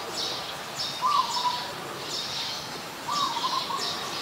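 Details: In Ubon Ratchathani, Thailand, on 24 February 2022, an adult zebra dove utters two soft, stuttering trilled coos about two seconds apart, while high buzzy insect or bird sounds continue in the background.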